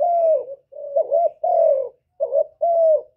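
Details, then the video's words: Spotted dove song, recorded live to stir captive doves into calling. Smooth descending coos alternate with short double-noted hoots, about five phrases in three seconds, clean and close, with no other noise. "Cu gáy lớn tiếng, không tạp âm, giọng hay dễ mở, cu gáy kích bổi, cu gáy đi bẩy, cu đất gáy, cu cườm"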